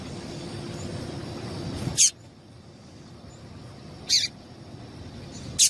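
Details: A female yellow-bellied seedeater calls to get males singing: three isolated, thin, high chips about two seconds apart, with low background rumble fading after the first note.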